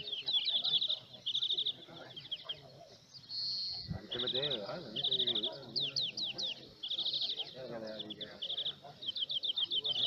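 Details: Song of a European greenfinch at a 2018 singing competition at El Torviscal, Seville, Spain: high rapid trilled phrases and rolling twitters, a sustained wheeze near the middle, separated by short pauses, with continual human chatter underneath.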